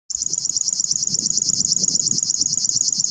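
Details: A river warbler at RSPB Ham Wall, 15 June 2021, sings a fast, even, insect-like buzzing, a dry rhythmic 'zre-zre-zre' of about ten high pulses a second, over a faint low rumble.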